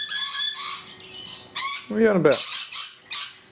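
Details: Rainbow lorikeets screech loudly and continuously on a balcony, with harsh, grating calls and a lower, rougher squawk in the middle, closely packed over a few seconds.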